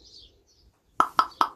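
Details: Pet raven chatting in the morning, mixing gwahs with wubba bubba bub sounds: three hollow, wooden knocks evenly spaced about a fifth of a second apart, after a brief soft murmur.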